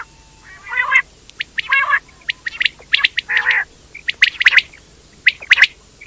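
A quail gives short, harsh chirps and squawky notes in irregular bursts about once a second, mixed with sharp clicks over a faint low hum.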